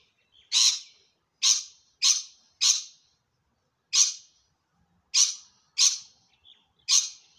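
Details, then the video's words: Rainbow lorikeet in a tree in Melbourne, Australia, screaming: eight harsh, rasping screeches, irregularly spaced about a second apart, with a few soft chirps between them. "Rainbow Lorikeet Screaming"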